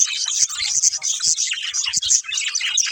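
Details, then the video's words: Budgerigars in a family group chirping while playing: a busy, continuous stream of high twittering and warbled notes, several birds overlapping with no pauses. "Cute Budgies Chirping Sounds"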